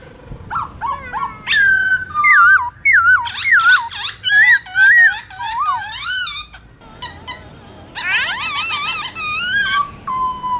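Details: Black-throated laughingthrush in forest-style morning song: quick downward slurs, then a series of loud looping whistled phrases, a short lull, and a dense burst of rapid trilled notes before a final whistle.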